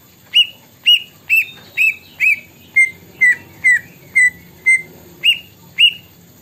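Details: Greater green leafbird singing a song filled with imitated plaintive cuckoo phrases: thirteen clear whistled notes about half a second apart, the first ones slurred and upswept, the middle ones sliding downward, then rising again at the end.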